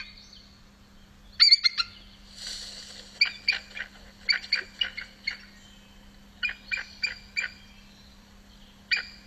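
Bald Eagle giving thin, high, piping chitters in quick bursts of three to five notes, more like peeping than a fierce scream, over a faint steady hum.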